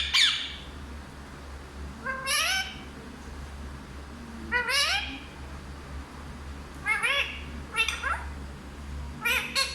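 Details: Talking parrot, said to speak Hindi, utters spaced-out groups of rising harmonic syllables every two seconds or so, some in quick doubled bursts, with a low steady hum behind.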